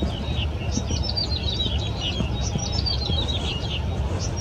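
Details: Yellow-bellied prinia at a riverside park along the Keelung River, 14 April 2017: high, jumbled tinkling notes run almost continuously, partly blurred, above heavy low-pitched background rumble.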